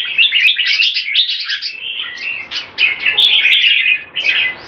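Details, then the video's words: Olympian-class red-whiskered bulbul (jambul) kept in a cage, in speed action display with keke. It gives hurried, irregular, chirping notes around four a second in lively, warbling phrases. "JAMBUL - OLYMPIAN CLASS - SPEED ACTION DISPLAY & KEKE"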